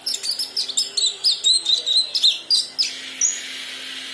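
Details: Kinoi; juvenile subsong; young bird practising and learning its song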